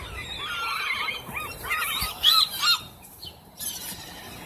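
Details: Several seagulls crowding for food at Rockaway Beach give rapid, overlapping squealing calls, each a quick rising-and-falling yelp, with a few louder sharp squawks near the end and soft outdoor background.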